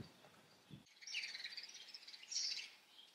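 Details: House sparrows chirping in a fast, overlapping twitter of high notes, building to a louder burst before tailing off, after a couple of low knocks at the start.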